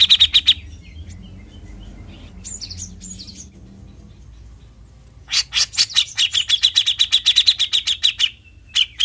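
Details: Cucak jenggot (Bearded bulbul) in besetan style: brief chipping, a long quiet spell with a few soft notes, then a dense, fast, rattling burst of sharp repeated chips.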